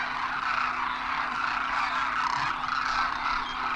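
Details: Migratory Demoiselle cranes, called Koonj, flocking down to a water hole at Khichan, Rajasthan, India, in winter; a thick chorus of overlapping purring, croaking calls with brief clearer notes, plus a low constant hum.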